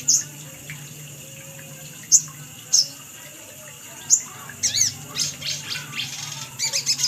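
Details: Little spiderhunter lure call, locally sogon: isolated sharp high chips at first, then quickening into a jumbled run of rapid chittering notes.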